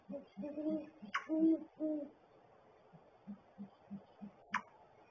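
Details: Great horned owl pair at the nest: three strong low hoots open the clip, followed by a run of soft evenly spaced pulses and a couple of sharp clicks.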